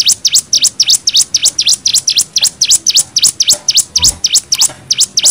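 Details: Hill Prinia 'nembak' song for tutoring young birds: loud, high notes that dip sharply and rise again in a V shape, fired rapidly and steadily, with a faint low thump near the middle.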